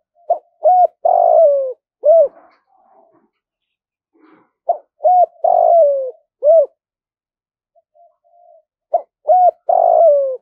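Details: Trained decoy spotted dove cooing: mellow low phrases of two quick notes and a longer descending coo, separated by single coos and pauses, repeated several times in a quiet setting.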